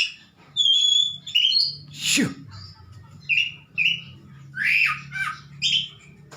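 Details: Oriental magpie-robin (kacer) kept at home, singing vigorously: clear whistled notes, a pure high whistle, then varied short buzzy and slurred phrases with gaps, over a low steady hum.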